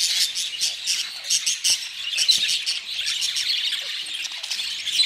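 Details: Budgerigars warbling: a busy stream of quick high-pitched chirps, clicks and twittering notes in irregular bursts, with a few sharper squeaks rising above the steady chatter.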